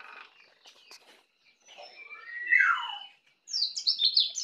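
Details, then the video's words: Young white-eye native to Bali, just learning the ngeplong song style: scattered soft chirps, then a loud falling slurred whistle and a burst of rapid high twittering notes. "Pleci Bali baru Belajar ngeplong"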